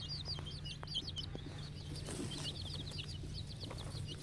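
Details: Many 10-day-old farm chicks cheep in shrill, descending peeps, several birds calling at once in a rapid, uneven stream over a constant low mechanical hum.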